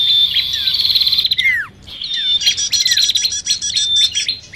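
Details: Bar-winged prinia calling in an agitated style, used as a trapping lure combined with sirtu or cipoh (common iora). Sharp high trills are cut by a short gap with two sweeping downslurred notes, then a dense rattling chorus resumes.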